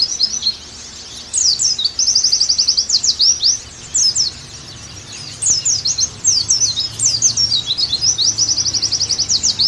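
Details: Oriental white-eye song in separate bursts, from a recording meant to make a bird sing actively again. Sharp high chirps and rapid trills are separated by several quiet gaps of about a second.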